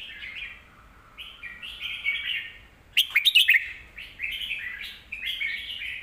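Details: Red-whiskered bulbul kept in a cage, singing a song used to teach young birds: warbled phrases rising and falling, a loud burst of sharp notes midway, then more warbling.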